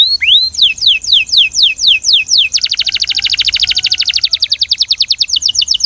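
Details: Belgian canary singing rhythmically: a couple of rising whistles, then evenly spaced falling whistled notes about every quarter second, breaking into a fast, dense rattling trill.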